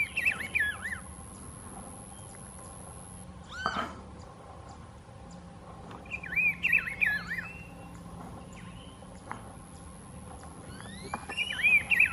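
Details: Rufous-browed peppershrike at Las Macanas Marsh; short whistled phrases of rising and falling notes repeated every few seconds, with faint insect hum and a steady background hiss.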